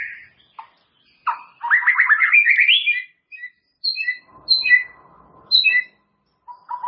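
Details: White-rumped shama song from a tutor recording for caged birds to expand their repertoire: a loud rising run of rich warbled notes, followed by spaced pairs of sharp high whistles and a steady lower tone.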